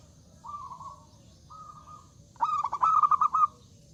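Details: Zebra dove singing loudly to invite rivals to answer: two faint drawn-out level coos, then a strong burst of rapid stuttering notes.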